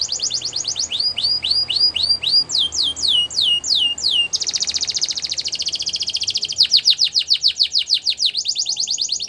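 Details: Belgian canary singing for canary training: repeated rising whistles in series, falling sweeps, a long dense buzzy trill, then rapid rolling repeated notes.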